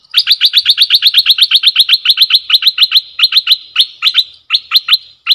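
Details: Caged decoy bulbul used for luring, recorded 18 December 2021: a loud, fast series of sharp, chirping notes, about four per second, keeping a rapid rhythm and then spacing out near the end.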